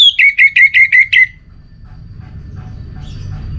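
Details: Orange-headed thrush delivering a rhythmic phrase of six sharp, ringing whistled notes in quick even succession, each slightly downslurred, then silence apart from a low rumble and faint distant chirps.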